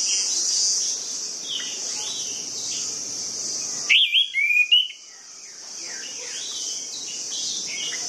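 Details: Song of an orange-headed thrush, played to coax reluctant birds into singing: one loud phrase of sharp rising whistles and trilled notes lasting about a second, set among quieter distant whistles and a steady high shrill background.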